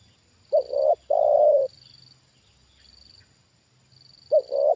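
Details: Trained spotted dove answering a wild bird lured down again; a stuttered double coo and a long low coo, then after a three-second gap a further double coo begins; quiet high-pitched hum throughout.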